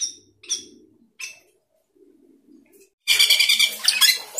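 Asian glossy starling giving a few sharp, high whistled notes, then a sudden loud burst of dense, harsh chattering and squeaky phrases.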